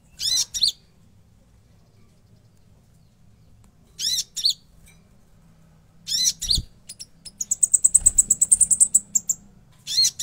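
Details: Konin in busy fill-rich song: widely spaced pairs of raspy, buzzy high bursts and a fast run of thin, piercing ticking notes.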